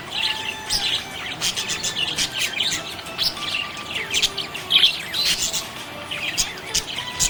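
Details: Happy budgerigar twittering in fast, scratchy bursts of clicks and high chirps, with a few louder squeaks and faint low whistles in the background.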